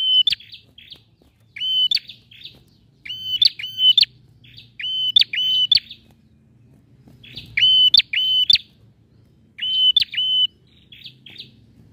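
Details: Male bar-winged prinia singing vigorously, played to prompt a silent prinia to sing: bursts of two or three loud, level whistled notes, each snapped off by a sharp high chip, recurring every second or two over a faint low hum.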